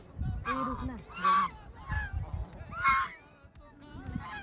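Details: Many ducks gathered at a pond's edge give loud, harsh nasal quacks and honks in irregular bursts, several voices overlapping, with low rumbling handling noise underneath.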